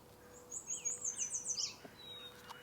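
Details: Black-capped chickadees calling at a marsh on a Sunday morning: about a second of rapid, thin, very high notes run together with lower, buzzy slurred notes, over a quiet background.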